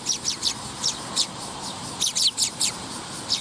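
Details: Young sparrow, photographed 20 August 2021, giving high, thin chirps in short clustered bursts, roughly a dozen notes over a few seconds, with quiet gaps between groups.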